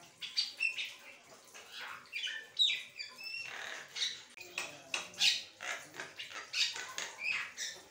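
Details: Asian pied starling in continuous chattering song without pause, a varied stream of rasping squawks, clicks, whistled slurs and buzzy notes in rapid succession.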